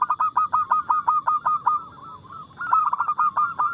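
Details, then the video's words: Fast, loud perkutut song from a local zebra dove, used as a lure to make reluctant doves sing. A rapid run of short, clipped coos, about two to three per second, pauses briefly, then resumes just as quickly. "PERKUTUT LOKAL GACOR Nada cepat Suara keras kristal Bikin cepat bunyi ( Pancingan Burung Anggungan)"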